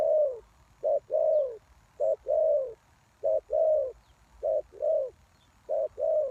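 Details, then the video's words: Captive lure spotted dove calling for wild doves, repeating a soft short coo followed by a fuller, gently falling croo about every 1.2 seconds, with steady rhythm throughout. "The Cu Gáy Mồi Đất"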